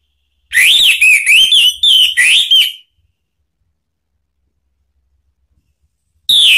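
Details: An Orange-headed thrush sings a warbling phrase of rising and falling whistled notes for about two seconds, used to stir another thrush into answering; a long silence follows before the next phrase begins right at the end.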